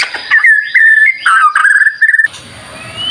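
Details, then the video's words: White-rumped shama, a lively song used as a lure for other birds, in loud whistled phrases held near one pitch with quick warbles and rattling notes, ending abruptly in a faint hiss. "Pancingan Murai Batu Gacor, Sangat Ampuh buat Segala Jenis Burung, Pasti Nyaut Seketika"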